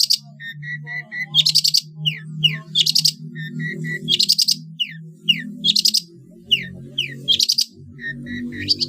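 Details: Long-tailed shrike training song for competition birds in the trotol style: high sharp chirps and downslurred whistles in repeated bursts near every 1.5 seconds, short steady whistled triplets between, over a low humming background.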